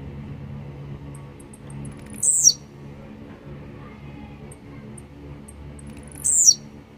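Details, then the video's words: Blue-black grassquit, called grumpy and fired up, repeats a short, sizzling, downward-sliding note twice, about four seconds apart. Little ticks come before each note, with a steady low hum behind. "esquenta seu tiziu🔥tiziu rabugento"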